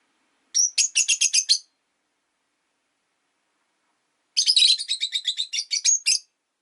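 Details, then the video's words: Two quick bursts of rapid, buzzy chirping trains from pet rosy-faced lovebirds kept five together in a window-side cage, the second run longer with about a dozen notes. "Lovebird Chirping Sounds"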